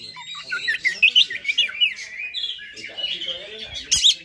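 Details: Oriental magpie-robin giving high fighter song meant to provoke other magpie-robins: varied whistled and scratchy phrases, rising and falling, with a harsh squawk near the end.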